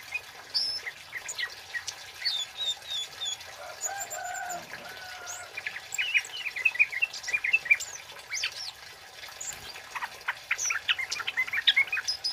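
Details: Male flowerpecker in full voice, a loud 'cit keres' style recorded as a lure and tutor track; scattered high sharp chips and short whistled notes, some rising, with brief buzzy trills, spread unevenly over a faint hiss.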